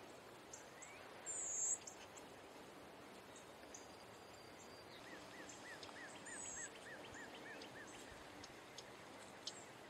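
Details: A male Eastern towhee gives alarm calls: two brief, very high, thin buzzy notes a few seconds apart. A soft series of repeated mid-pitched notes and a quiet outdoor hiss sit beneath them.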